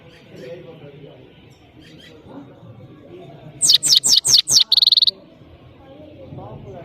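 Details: European goldfinch (saira) of Parachinar singing: after a quiet stretch, a short loud phrase of five sharp, high descending chirps ending in a brief buzzy trill.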